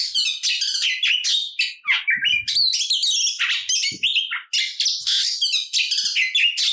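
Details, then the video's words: Energetic fighting song of an Oriental magpie-robin, used to stir up rival birds: rapid, packed phrases of shrill chirps, rasps and downslurred whistles, almost unbroken, with faint low knocks underneath. "Kacer Gacor Full Isian Tarung Ngotot Bikin Emosi Kacer Lain dan Terpancing Bunyi"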